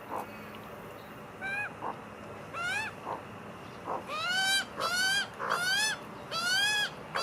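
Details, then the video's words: A magpie family eating together gives nasal, whining calls in rich rising-and-falling notes, repeated every second or so in short bursts, with quieter calls in between. "Magpie family eating together making funny noises"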